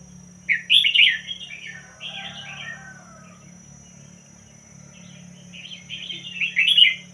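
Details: Red-whiskered bulbul of the pied-head line singing two bright, chirpy warbled phrases, the first about a second long and the second near the end, separated by softer twittering; steady low hum underneath.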